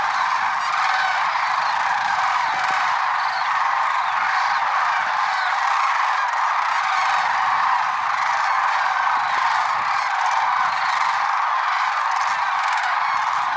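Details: February 6, 2023, early morning at Merced National Wildlife Refuge: a large gathering of lesser sandhill cranes keeps up a continuous din of overlapping trumpeting calls for the full length.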